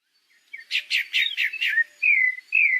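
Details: Pale-breasted thrush song from Brazil: a quick run of five rich, slightly buzzy notes, then two clear, high, downslurred whistles, with no other sounds.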